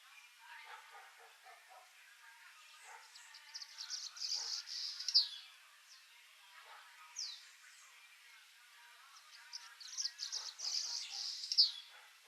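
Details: Swallow-tailed hummingbird tending its chick in the wild in nature, with high thin squeaky chittering notes in two clustered bursts, plus a few short sharp chips between, over faint background noise.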